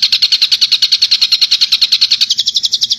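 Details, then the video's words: A Madura long-tailed shrike (cendet) sings as a master-song recording: a fast, even run of high, bright chipping notes, about eight per second, rising slightly in pitch toward the end. "Suara Masteran Burung Cendet"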